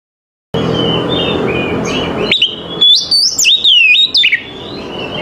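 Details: Oriental magpie-robin singing in the morning: after about two seconds of dull background noise, loud clear whistled phrases start, with notes sliding up and stepping between high and low pitches.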